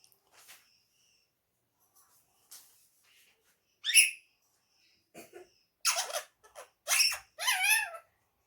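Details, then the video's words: Pet ring-necked parrot talking indoors in Urdu and Hindi words: faint scattered chirps, then a sharp squawk and a run of loud, harsh, warbling phrases packed into the final three seconds. "amazing talking parrot talking Mithu bayty Urdu and Hindi"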